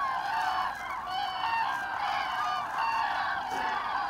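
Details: A flock of Common Cranes on autumn migration, 25 October 2021, gives continuous overlapping trumpeting calls, a dense resonant chorus with short rising notes standing out every second or so.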